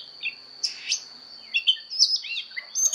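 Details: Oriental magpie-robin singing its fighting song for voice training, quieter here: scattered whistled notes and brief sweeps over a soft hiss and a steady thin high tone.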